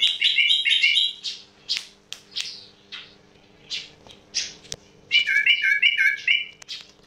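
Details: Yellow-vented bulbul's unusual sound: a clear, rapid, whistled warble, then spaced rasping chirps, then another fluid run of whistled notes.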